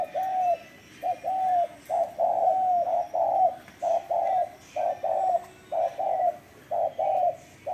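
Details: Spotted dove in vigorous cooing, giving soft, low hooting notes in tight strings, many phrases closing with a drawn-out, gently falling coo, almost continuous with brief pauses.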